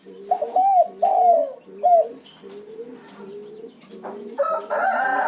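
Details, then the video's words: Spotted dove lure cooing: a loud three-note phrase of arching coos, then softer, flatter low coos, ending in a burst of harsher rustling noise. "Terkukur Pacingan burung Derkuku pasti langsung ngacor"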